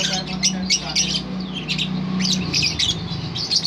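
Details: Long ngerol trill of a lovebird, delivered as rapid harsh squawky bursts almost four per second, rough and uneven, over a constant low hum.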